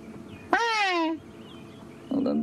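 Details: Hadeda ibis at sunrise in Sabi Sand, 5 February 2016, gives a loud, harsh, nasal call sliding downward over about half a second, then the start of another raucous burst, among woodland kingfisher and other birds.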